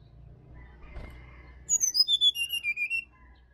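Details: Bali sirdadu in wild forest, recorded to coax caged birds in the morning: a clear run of about ten whistled notes sliding downward, following a low rumble.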